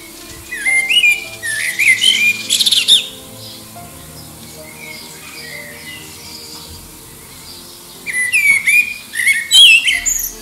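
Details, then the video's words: Common blackbird in song, vying with other birds in the distance for a mate, under the Liverpool airport flight path; two fluty warbling phrases with squeaky high endings, about six seconds apart, with a quiet gap between. "Song of the Black Bird"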